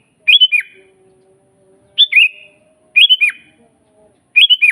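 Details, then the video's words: Sooty-headed bulbul, or kutilang, singing constantly in nature for use as a master and lure recording: four crisp phrases of quick mellow whistles, each ending in a downward slur, separated by short pauses. "suara burung kutilang GACOR asli"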